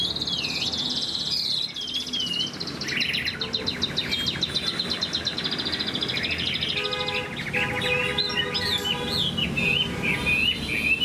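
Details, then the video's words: Moulting Chinese hwamei, a large kept songbird singing high-pitched: loud varied whistled phrases with wavering slurs, a fast rattling trill in the middle, then looping rising-and-falling whistles, over steady low noise. "Chim họa mi đang thay lông, bộ to đẹp, hót cao cầu"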